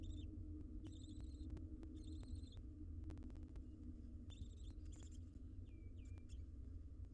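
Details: Barn owls nesting wild in a monitored box, several short raspy pulsed hisses in quick sequence plus a couple of brief thin whistles, against low droning background noise.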